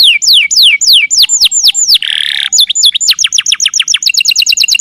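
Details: Canary in long song, used as a tutor recording for training songbirds; rapid series of sharp descending whistled sweeps, a brief buzzy rattle in the middle, then fast repeated high trilled notes, clean with no background.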